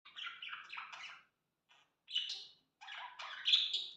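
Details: Budgerigars taking flight chatter in busy bursts of scratchy, warbled chirps and squawks.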